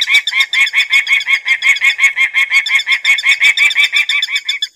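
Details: Continuous harsh cacking from a peregrine falcon, close to three notes a second. The grating, even syllables fade slightly near the end.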